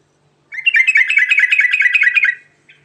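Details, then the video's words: Sooty-headed bulbul (trucukan) singing in the rolling 'ngerol' style with rich fill, used as a lure to draw replies: a dense two-second burst of rapid, bubbly chattering notes, then a short faint trailing note. "Panggilan Burung Trucukan Garuda Ngerol Isian Mewah Cepat Bikin Nyaut"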